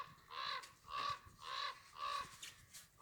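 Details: Bird giving four harsh, raspy squawks in quick succession, each short and broad, spaced about half a second apart, with quiet gaps and no other clear sounds.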